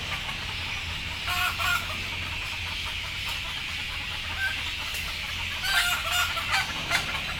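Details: Chickens, described as sleepy and frightened while being loaded on board, give short clucking notes in two bursts, one around a second in and another near six seconds, over steady hiss and low engine rumble.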